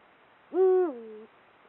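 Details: Male Eurasian eagle-owl in breeding season, hooting to mark territory from a perch: a single deep, clear hoot held level for about half a second, then dropping lower and fading into a softer tail; quiet background.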